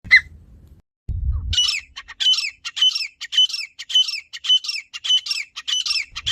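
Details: Grey francolin (teetar) calling in a village setting: loud, harsh, squeaky phrases repeated roughly every half second, each a rapid cluster of high notes, after a brief low rumble at the start.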